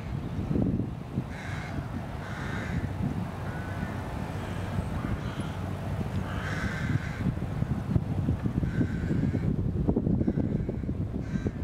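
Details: Rooks around their tree nests with chicks in England shortly before Easter; several hoarse, grating caws come in loose bursts against heavy low-pitched wind noise.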